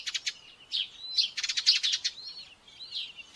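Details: Common buzzard chick at a nest in Tiszalök, Hungary, on 5 May 2024, aggressive during the morning feeding, begs with thin, high-pitched cheeping in quick bursts and drawn-out whistled notes in between.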